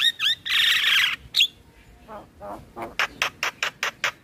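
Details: Male black-winged starling singing as a training lure for other birds: a long harsh hissing screech, soft low notes, then a fast run of short raspy chips.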